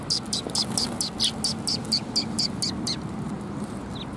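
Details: At a Tenmangu shrine on 25 January 2021, sparrows coming to be fed utter a fast, evenly spaced series of about twelve high, clipped chirps, then fall silent, with low traffic noise beneath.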